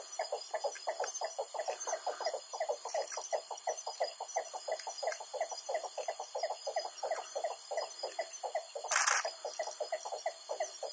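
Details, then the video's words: Great Sumba boobook singing on Sumba Island, Indonesia, 27 January 2023: a fast, uneven run of mid-pitched hooting notes, about three per second, over a steady high insect drone, with a brief rustle near the end. "Great Sumba Boobook 松巴鷹鴞 鳴唱"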